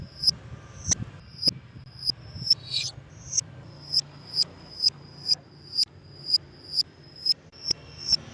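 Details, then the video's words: Lure sound for lovebirds: a steady series of thin, piercing high chirps about twice a second, with one brief harsher note and faint background hum. "MEMANCING BURUNG LOVEBIRD DENGAN SUARA BURUNG GACOR"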